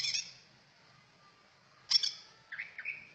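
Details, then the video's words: Brief cucak ijo song fragment: a high whistled note fading away, then a sharp loud chirp burst and a few lower warbled notes near the end. "Merdunya burung trucak ijo"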